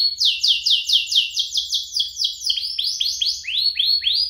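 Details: Lively song from a pair of canaries, used as a lure and tutor for young canaries: a long run of high downslurred notes about four a second, shifting to slower rising slurred whistles.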